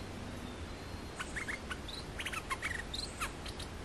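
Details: Lure song of an olive-winged bulbul used for bird trapping. After a quiet start, short scattered bursts of crisp chirps and a couple of slurred notes, over faint low-pitched noise.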